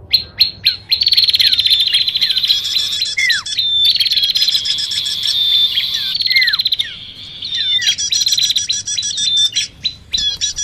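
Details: Bar-winged prinia calls mixed with common iora sounds for luring birds: fast, high, buzzy chattering trills in long bursts, with occasional downward-swooping whistles and a few short separate chips.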